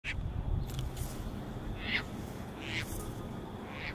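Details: Caspian terns resting on a northern USA beach during spring migration, one bringing a fish to a potential mate, give harsh, raspy, drawn-out calls, several over a few seconds, over a steady low rumble of wind and surf.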